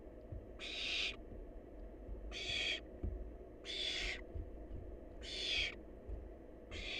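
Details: A wild barn owl chick feasting on leftovers repeats rasping, hissing screeches, five in seven seconds, each about half a second long, over low rustling and knocking from movement in the nest.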